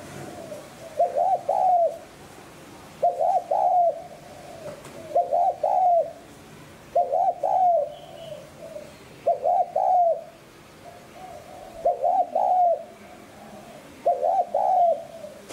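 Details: Repeated cooing of a spotted dove used to lure wild doves, seven phrases of paired short notes and a trailing longer coo, repeated about every two seconds, faint other bird calls behind.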